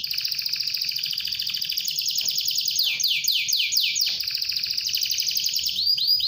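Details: Canary song, a lively singing bird used to prompt other canaries to sing: fast repeated trills and downward-sweeping whistled notes, high and continuous throughout, with a rapid rolling tour near the end.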